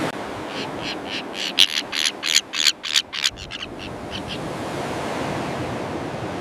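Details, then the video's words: Common terns in a breeding colony: a burst of harsh, rasping calls repeated about three times a second, grating and high, then fading into a steady hiss of wind and surf. "Common Tern Colony"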